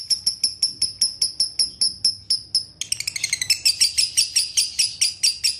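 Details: Leafbird song used to make a leafbird sing again: evenly spaced high sharp chirps for about three seconds, switching to a faster, richer twittering and trilled sequence.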